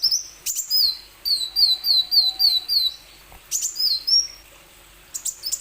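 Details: Plain sunbird song, used as a lure to prompt other plain sunbirds to sing. High, thin notes slur downward in quick runs of about five, broken by sharp clicks and short pauses.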